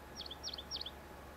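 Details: Pine grosbeak, a pair (yellow female, red male) in elfin pine forest on Sakhalin where they nest and feed on pine nuts, gives three quick bursts of high, sweet chirping twitters about a third of a second apart, over a low hum.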